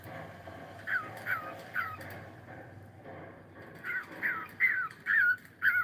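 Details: Cockatiel in the morning giving short whistled notes that fall in pitch, about ten in two bursts with a quiet gap between them, over a low background hum.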